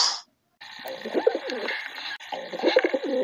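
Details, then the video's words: Several low, wavering pigeon coos overlap in a dense, muffled run, with rolling throaty notes over a steady background hiss. "Beautiful Pigeon Voice"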